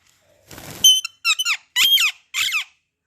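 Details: Parrot kept as a pet making chirping sounds: a soft rustling thump, then four loud harmonic chirps in quick succession, each a cluster of bending, twisting high notes about half a second long, separated by brief silences.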